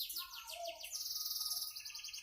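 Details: Canary song: fast, high, sweet trills and rolling repeated notes, with lower whistled notes woven through them, forming one continuous warbling phrase.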